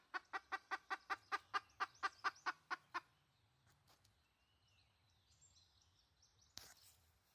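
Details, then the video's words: Red junglefowl hen: a quick run of about twelve short clucks over three seconds, then quiet with faint rustling and one sharp knock. "Suab dib qaib qus poj tsauj. เสียงต่อไก่ป่า"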